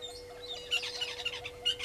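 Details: Brief string of shrill, rasping squawks, about four in under two seconds, from brown-headed parrots at a nesting tree, Gowrie dam, Djuma Game Reserve, South Africa, recorded by a fixed waterhole camera on 13 March 2022.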